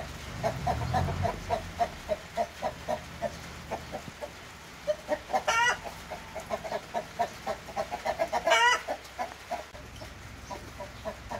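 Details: Splash Wyandotte chickens, new breeding stock hens: rapid, fairly steady mid-pitched clucks about three to four a second, with two louder, harsh rising squawks partway through and a low rumble at the start.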